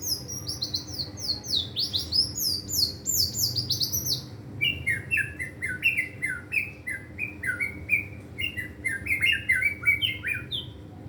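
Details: Caged White-rumped shama, a competition-style bird practising continuous gacor singing that shows off its learned song material: fast rising and falling high whistled phrases, then a long run of quick downward-slurred notes repeated in varied bursts.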